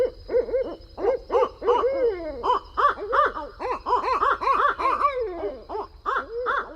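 An owl gives a quick run of arched, mid-pitched hooting notes, about three per second, with a few sliding, wavering calls mixed in.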